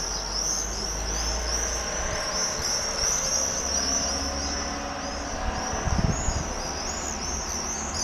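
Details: Several common swifts (Apus apus) circling over Holstebro, Denmark, give shrill, high-pitched screams overlapping in a near-continuous chorus, over a steady low rumble of wind or distant traffic.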